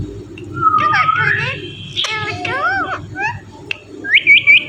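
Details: Talking Indian ringneck parrot imitating human speech; stacked, bending speech-like syllables, then a short series of high rising whistled notes at the end, with a low background hum.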